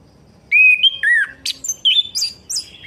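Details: Orange-headed thrush singing, a recording meant to stimulate a bird that has stopped singing: loud clear whistled phrases, sliding up and down, mixed with sharp high buzzy notes in a quick varied run, against a quiet low hum.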